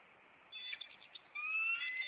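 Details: Bald eagle of a Maine nest pair on April 26 during a chase after an intruder; a short high buzzy note, then a long, clear rising whistle.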